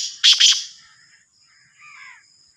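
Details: Two loud rasping notes from a black francolin, the Sindhi type, come in quick succession. They are followed by faint twittering and a thin continuous high whine.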